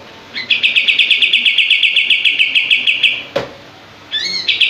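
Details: Energetic common iora (kapas tembak) song with tail fanned: a three-second stream of fast, crisp repeated notes, a sharp click, a pause, then wavering upslurred notes leading into another rapid burst.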